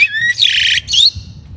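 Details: Crested myna, shown as young birds being chosen as breeding season nears, gives a brief thin whistle, then two harsh, grating squawks in quick succession, loud and close, over quiet background.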